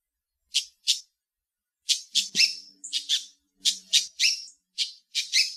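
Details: Yellow-tufted honeyeater at Bomaderry Creek Regional Park, Shoalhaven, gives harsh, scratchy high notes in quick bursts, two to four per second, with short pauses, over a faint low hum.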